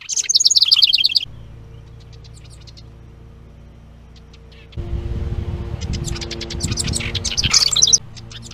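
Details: House wren (Troglodytes aedon) song at a bluebird nest box (Nestbox 4) on 10 May 2023, where stick nests were found: rapid bubbly cascade of high notes, then a quiet gap and scattered chattering over rustling and scraping.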